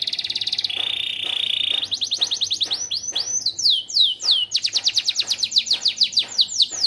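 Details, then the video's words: Yellow AF canary singing a vigorous 'gacor' song with learned 'isian' phrases: a steady buzzy trill, then a sharply lowered trill, then fast rolling slurred notes sweeping down, repeated quickly. A faint low hum sits underneath. "KENARI AF KUNING ISIAN GACOR"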